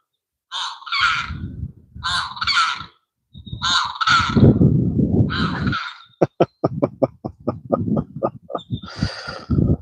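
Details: Limpkin calling in the evening while someone fishes: loud harsh wailing cries in paired bursts, then a rapid series of sharp clicking notes, with a final cry; low rumbling background throughout.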